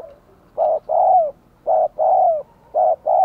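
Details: Spotted dove acting as a decoy to lure wild doves: three strong double coos, each a short note and a longer note that slides downward, spaced about a second apart.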